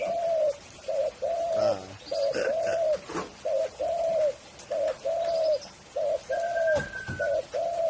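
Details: Spotted dove (tekukur) cooing steadily: low, mellow notes in short groups, a brief coo followed by a longer swelling one, repeated about every second; faint higher whistles and clicks from other birds behind.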